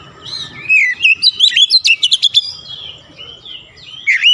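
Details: Oriental magpie-robin (kacer) pouring out gacor song: a slurred whistle leads into a rapid string of rising-and-falling whistled notes and sharp clicks, then a lone swooping whistle at the end.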